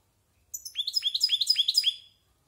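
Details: European goldfinch around a year old rehearsing its varied song, a short burst of rapid, bright, repeated curling chirps on a steady high pitch lasting about a second and a half.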